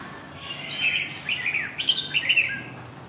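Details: Red-whiskered bulbul giving a Huế-style giọng dài, long-voice, song: one continuous warbling phrase of quick, sweet, chirping notes that rises into a brighter burst toward the end, over steady low background noise.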